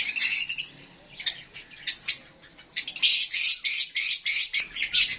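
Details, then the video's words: Lovebirds, with Fischer's lovebirds and budgies among them, giving harsh high squawking chirps in quick bursts, about three a second, after a short, quieter gap of scattered notes. "Love Birds HD Sounds"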